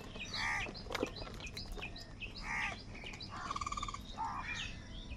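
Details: Crows squabbling over food give harsh, nasal caws, two strong ones about two seconds apart, then a rattling, stuttered call, amid background chirping of small birds and soft ambient noise.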